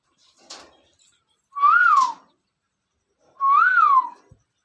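A parrot gives two loud, clear whistles that rise and fall, about two seconds apart.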